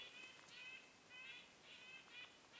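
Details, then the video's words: Nuthatch in a snowy winter forest gives about six nasal, tinny "beep" notes, spaced roughly half a second apart, faint against quiet hissing woodland. "The birds that go "beep! beep!" at 2:59 are nuthatches."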